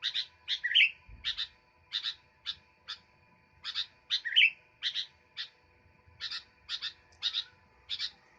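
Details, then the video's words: Actively singing sooty-headed bulbul gives clipped, high chirping notes in short clusters, broken by two bubbly descending slurs. Brief gaps separate the bursts, and a low steady hum lies beneath. "Burung kutilang gacor"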